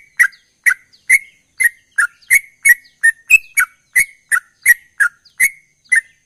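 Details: Sooty-headed bulbul in gacor ropel song: short, bright whistled notes given in a fast, even series of about fourteen over six seconds, one note slightly higher and more drawn out.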